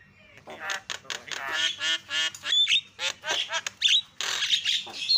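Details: Javan myna lure calls meant to set other mynas shouting: a rapid string of grating, nasal squawks and rasps interspersed with brief clear whistled notes, loud and continuous throughout.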